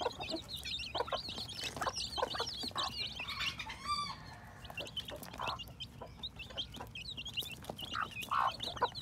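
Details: Chicks hatching in spring 2021 keep up a continuous chorus of thin, quavering high peeps, with occasional soft clucks, a brief rattling trill at four seconds, and tapping noises.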